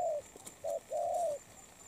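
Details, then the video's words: Moulting wild-caught spotted dove: a low husky coo, a short clipped note, then a long drawn level coo. "Bổi Đồng Pha tốt tiếng , liền lẹ , bài khá , gù tốt"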